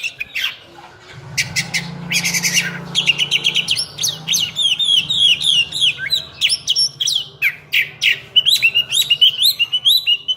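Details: Singing oriental magpie-robin, called cincim pala locally, performing a full 'isian' song: harsh scratchy bursts give way to a rapid, steady series of varied clear whistled notes, nearly two per second, over a low steady hum.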